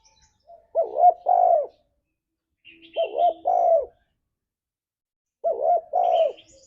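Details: Tekukur or spotted dove giving its ngalas song as a lure for caged birds: three evenly spaced phrases of a quavering double coo and a longer descending coo, with faint high chirps from other birds in between.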